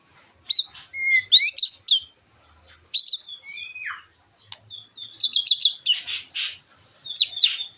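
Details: A white-rumped shama, whose harsh song is meant to draw other shamas into singing, gives high scratchy chirps, a falling whistled slur, then a dense burst of rapid buzzy notes.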